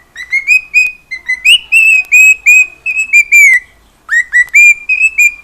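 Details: Pet cockatiel at home singing and making noise: bright whistled notes, many slightly rising, strung in quick bursts, with a short pause before the whistling resumes. No other clear sounds.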